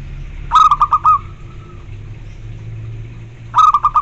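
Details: Zebra dove song played to prompt other zebra doves to answer: two phrases of quick, clipped cooing notes, four or five per phrase, each followed by a short held tone, about three seconds apart, over a low steady hum.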